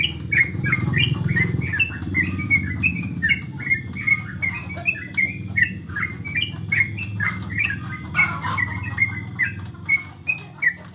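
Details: Yellow-vented bulbul, a caged contest bird called trucukan, kept at home during the corona period. It chatters in a long, lively sequence of quick whistled and slurred notes over a constant low hum from the room.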